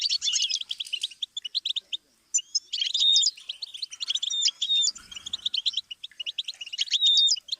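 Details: Tutor song of a goldfinch for teaching young songbirds: bright, liquid twitters and quick trills in bursts, with clear whistled slurs and a brief pause after the first two seconds.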